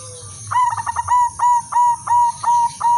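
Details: Silver female zebra dove kept as a lure for other zebra doves: a quick rattle of clipped notes opens the phrase, then six level coos spaced about a third of a second apart, over a soft background hum.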